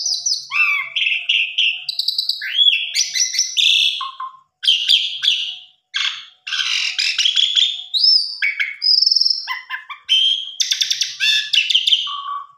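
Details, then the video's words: Asian pied starling in full song as a singing lure: a long, lively string of piercing whistles, rasping notes, rapid clicking trills and sliding phrases, delivered almost without break. "Pancingan Jalak Suren Biar Bongkar Isian"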